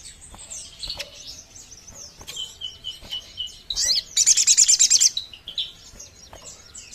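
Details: Sogon bird sound played to lure sogon birds: sharp, high chirps and squeaky notes, then a rapid rattling burst of about a dozen bright, evenly spaced notes lasting about a second, before scattered chirping resumes.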